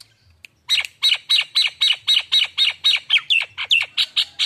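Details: Lure recording of a Nias hill myna kept as a bakalan: after a brief quiet start, a steady run of about fifteen loud, harsh, ringing notes, evenly spaced and bending slightly near the end.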